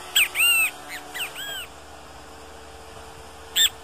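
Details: Great kiskadee in nature giving a strong, clear phrase of arched whistled notes, a quieter echoing phrase after it, then the start of another sharp phrase after a pause; constant faint hum in the background.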